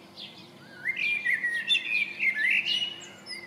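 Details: A common blackbird near a house in Coltness, Wishaw, sings a mellow, fluty warble of slurred rising and falling notes for about two and a half seconds, ending in thinner, higher twitters.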